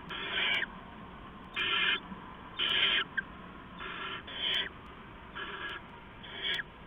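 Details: Owls at a nest, before dawn on 15 November 2015 as an adult brings rats to owlets, give harsh, breathy hissing screeches about half a second long, roughly once a second, over steady background hiss.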